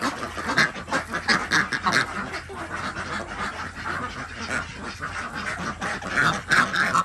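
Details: Village Desi duck flock in Andhra Pradesh, India, heard while eggs are picked up in the morning; bursts of loud nasal quacks at start and end, quieter overlapping chatter between, with a low steady hum beneath.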